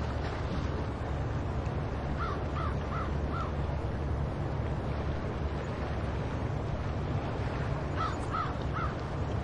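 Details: Gulls at the seaside at Pea Point, New Brunswick, give two short bursts of harsh, repeated notes, four and then three, over a steady low rumble of surf and wind.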